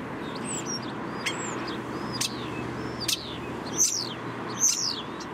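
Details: Common starling singing in a city, trying to be heard over urban noise: thin whistled slurs and sharp clicks scattered across the clip, with two louder whistled phrases near the end, above a constant low traffic roar and hum.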